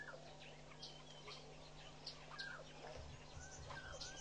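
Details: Southern masked weavers busy building and lining a nest at Pete's Pond, Mashatu Game Reserve, Botswana, February 2012: brief high chirps and short swooping notes scattered over four seconds above a steady low hum.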